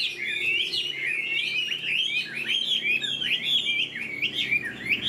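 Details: Caged Chinese hwamei with a spread tail and new feathers, tail-flicking as it sings: a continuous, fast warbling flow of varied whistles and slurred notes without a break.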